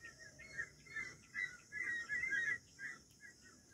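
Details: Wild quail: a run of harsh, mid-pitched, chattering calls that come in short bursts for about two and a half seconds, then fade to scattered softer notes over a low background hiss.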